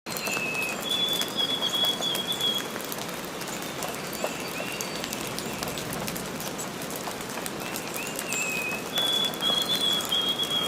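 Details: Baby bird in the nest: thin, high, drawn-out whistles, each about a second and a half, in two bursts at the start and the end, over a steady hiss like rain.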